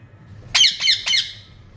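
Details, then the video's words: Pet parrot gives three loud, harsh squawks in quick succession, each a raspy burst with a falling tail, spaced about a quarter second apart, in a quiet indoor room. "My Parrot s funny sound"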